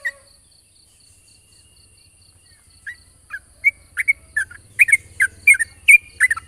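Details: Yellow-vented bulbul singing in the morning, a ropel lure recording: near-silence for almost three seconds, then bubbly chirps begin and quicken into a lively, dense rattle of notes over faint low hum.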